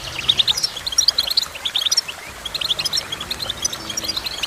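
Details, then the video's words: A goldfinch's lively song of short and long chirping notes, delivered in quick irregular bursts of high twitters with brief gaps, some notes sharp and ringing, over a faint low background hum. "Goldfinch Chirping"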